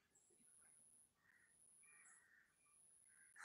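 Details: A bulbul chick that has fallen from the nest gives short, harsh, raspy calls in uneven bursts, with a thin, steady high whine, likely insects, running behind.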